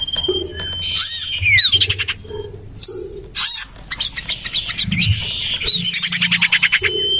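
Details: Common iora lure call used in a garden by a house: a thin steady whistle, looping squawks and falling slurs, then rapid dry chattering trills and a final level whistle, with faint low hum beneath.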